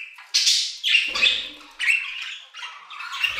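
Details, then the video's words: Budgerigars in an aviary give a few loud, scratchy warbled phrases, one after another, of squeaky and buzzy notes with brief breaks between them. "Budgie Songs - 1 hour of Budgies singing in the Aviary"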